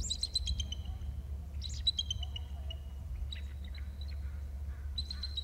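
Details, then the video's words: Male eagle calling at 14:07: sharp, high chirping notes with bright overtones in short bursts, then scattered thin upslurred notes later on. A steady low hum runs underneath throughout. "Eagle trills (Male)"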